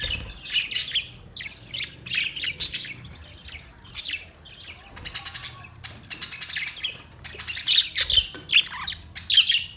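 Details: Colony of budgerigars with repeated clusters of warbling, buzzy chirps about every half second to second, growing denser and louder toward the end.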